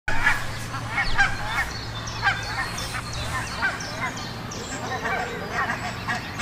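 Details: Barnacle goose family with six goslings filmed in Heemskerk, the Netherlands: a steady run of short, yapping honks, several birds overlapping and calling about once a second, with faint high chirps behind.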